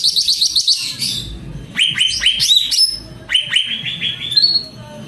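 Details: Cucak ranting singing loudly, opening with a fast pulsed high trill, then repeated rising whistled swoops and a long ascending series of slurred notes ending in a drawn-out whistle.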